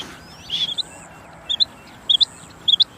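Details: Calling female quail: a brief rushing noise, then three clear pairs of sharp, high twittering notes spaced about half a second apart.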